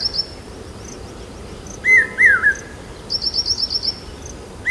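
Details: Common hawk-cuckoo (papiha) in Aurangabad during the monsoon, a call said to signal rain. One loud three-note whistled phrase, followed by a separate bird's quick series of high thin notes and the start of another cuckoo phrase.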